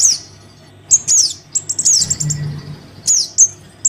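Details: Lure recording of a Crimson sunbird chick calling its parent: scattered high, piercing chirps and quick descending squeaks separated by brief pauses, over a faint low drone.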